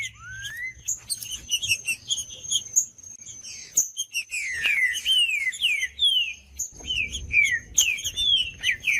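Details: Singing green-winged saltator meant to warm up a quiet caged bird: one rising whistle, then dense volleys of quick downward whistled slurs with sharp chirps, over a steady faint high-pitched tone.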